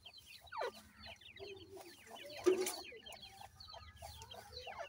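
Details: Grey francolin chicks, the dakhni teetar, accompanied by a parent pair, giving many quick, high, descending cheeps in a steady chatter, with a soft low hum underneath and a brief louder note midway.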